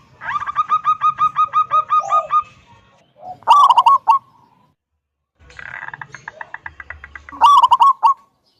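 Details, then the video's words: Zebra dove of local wild stock with a loud 'kung' voice, played to coax other doves into singing; trains of rapid, regular hooked notes each end in a strong, rich rolling coo, repeated twice. "Perkutut lokal gacor suara besar - SUARA KUNG"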